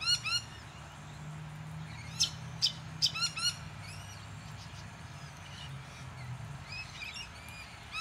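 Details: Buff-banded rail recorded at Deception Bay in south-east Queensland, Australia: sharp, squeaky rising notes in quick bursts, several loud clipped notes packed together mid-clip, then softer scattered calls over a steady low hum.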